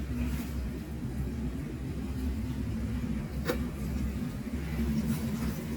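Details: A steady low traffic rumble continues, broken by a single sharp click halfway through, with no animal calls.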